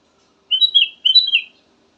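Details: Black-crested bulbul giving two rapid, liquid whistled phrases, each a quick tumble of rising and falling notes, with silence before and after.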